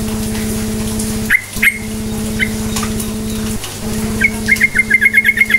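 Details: Energetic yellow-vented bulbul song played as a lure for quiet bulbuls: a few isolated sharp chirps, then a rapid repeated string of about eight crisp notes near the end, with a persistent low humming background.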